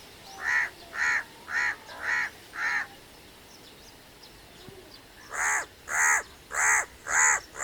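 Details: Crow cawing in two bursts: five harsh, evenly spaced caws, a pause of about two seconds, then five more caws roughly every half second, each note a rough nasal bark with a faint background hiss.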